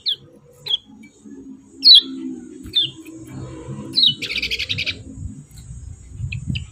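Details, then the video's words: Yellow-vented bulbul uttering single sharp, downslurred chirps at irregular intervals, followed by a short buzzy, rattling burst near the middle, with a low hum and faint rumbling behind. "CIAK CIAK JOSS KECIAL KUNING"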